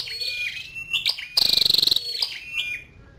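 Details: Female scarlet-backed flowerpecker calling: thin, very high whistled notes, then one rapid ticking trill of about a dozen sharp clicks lasting half a second, followed by more short, high, slurred chirps.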